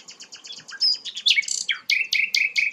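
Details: A sikatan londo flycatcher, described as rare, delivers a brisk run of high chirps and slurred whistles, ending in loud sharp notes repeated about four times a second.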